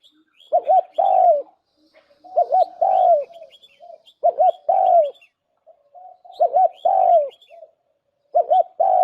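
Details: Decoy spotted dove cooing in a steady rhythm. Each phrase is a pair of short low notes and a longer descending coo, repeated roughly every two seconds. Light high-pitched chirping from other birds is also heard.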